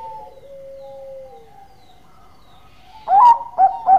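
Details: Close zebra dove sings three loud, sharp, rising hoots in quick succession after a quiet stretch, in which a more distant dove draws out a long level coo that slowly falls.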